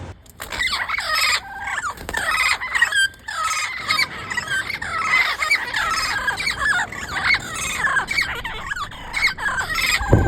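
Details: Turquoise-fronted amazon calling in the wild: a dense, continuous run of harsh, raspy squawks and screeches, overlapping and rising and falling, with scarcely a pause across the stretch.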